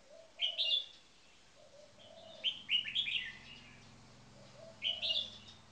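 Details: Red-whiskered bulbuls in cages, including a first-place marathon frequency singing bird, sing quick chirpy whistled bursts three times, each joined by softer low gliding notes.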